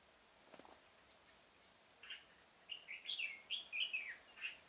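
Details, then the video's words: Red-whiskered bulbul luring birds as a decoy in a pomelo-garden trap, 25 October 2017. A brief chirp is followed by a fast run of loud, bubbling whistled notes, with some faint clicks earlier. "Bẫy chào mào Vườn bưởi độc thung chơi sịt cả mồi"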